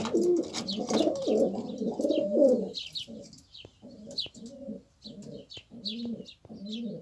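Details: Several fancy pigeon breeds in a fenced coop in Cyprus. A dense burst of low rolling coos from several birds gives way to short separate coo phrases repeated roughly every half second, with thin high chirps above.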